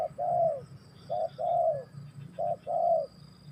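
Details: Spotted dove cooing: three low, mellow phrases, each a short coo followed by a longer, slightly falling coo, repeated about every second, with faint steady background hum.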